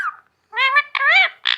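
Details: Talking pet parrot imitating speech, saying words like "me too": a brief falling note, then harmonic word-like syllables in two bursts and a final harsh squawk.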